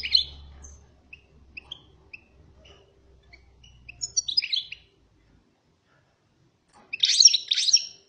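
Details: European goldfinch, described as fired up, gives short bursts of high, tinkling, twittering notes at the start, near the middle and near the end. Single soft chips come between the bursts, with quiet gaps between them.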